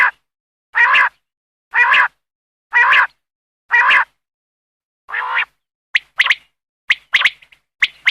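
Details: Common quail (batair) from hunting footage in Khyber Pakhtunkhwa, Pakistan. Five rough, growling notes come about a second apart, followed by a run of sharp, clipped, high notes in quick pairs and triplets.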